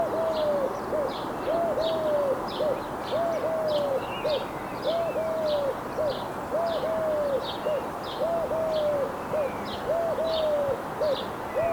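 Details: A wild Eurasian collared dove (Streptopelia decaocto) repeats a soft, mid-pitched three-note coo, short-long-short, about every two seconds. Steady high chirps from another small bird carry on behind.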